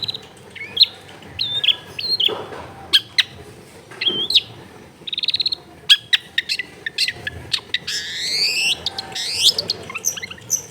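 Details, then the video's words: Long-tailed shrike singing vigorously, a lure to make lazy shrikes sing, recorded at home in a crowded neighbourhood: varied whistles, clicks and quick chattering bursts, then long sweeping rising notes and a hum in the background. "SUARA BURUNG CENDET GACOR PANCINGAN CENDET MALES BUNYI"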